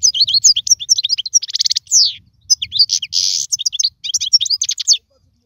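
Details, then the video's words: European goldfinch song for young birds to learn from: fast sparkling twitter, a dry rattle, and a long harsh buzzy note, ending in silence after about five seconds, with a soft low hum beneath. "اسمع المقنين واعطي رايك فيه,افضل تغريد لتعليم الفراخ"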